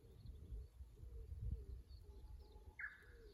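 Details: At the Kusu tank road in Japan, a fixed camera on 24 April 2025 picks up a Japanese bush warbler: a faint, drawn-out steady whistle ending in an abrupt upward flick, with soft low cooing and background rumble.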